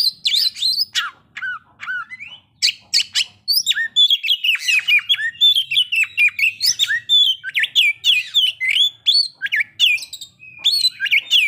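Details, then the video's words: White-rumped shama singing to stir breeding condition and aggression, a dense run of high whistles, downward slurs, chirps and harsh scratchy bursts delivered almost without pause, with a faint low hum underneath. "pancingan agar kacer capat birahi dan emosi terampuh"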